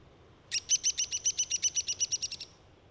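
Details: A Downy Woodpecker (Dryobates pubescens) gives a call: a fast, high, even run of about fifteen sharp notes over two seconds, slightly slowing and fading at the end, against a quiet background.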